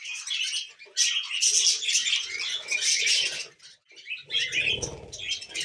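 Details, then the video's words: Happy budgerigar kept as a pet, warbling in bursts of rapid chirps and raspy twitters, with a short pause near the middle and faint low rumbling behind. "Happy Budgie Sounds"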